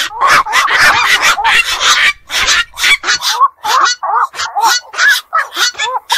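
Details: Black-crowned night heron, a night-active bird, calling: a dense, harsh chattering chorus gives way to separate hoarse, arched, barking notes repeated about twice a second, with other overlapping callers throughout.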